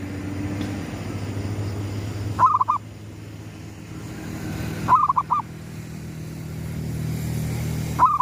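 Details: Sunrise cooing from a zebra dove, gedong mengo lure style: three bubbling phrases about two and a half seconds apart, each starting with a rising whistle-like coo and ending in fast notes, over low hum.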